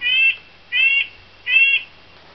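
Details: Red-breasted nuthatch (Sitta canadensis) call played from a bird sound book: three nasal, tin-horn 'yank' notes, evenly spaced about three-quarters of a second apart, slightly thin and tinny, with no other sounds.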